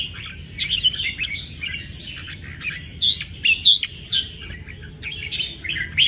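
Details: Caged red-whiskered bulbul giving bursts of lively chirps and short whistled phrases separated by brief pauses, rising and falling in loudness.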